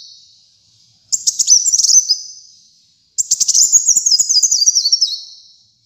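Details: Actively singing brown-throated sunbird, used as a master recording to train and lure pet birds: two high, rapid chattering phrases, each a quick series of sharp notes that drifts downward and fades out.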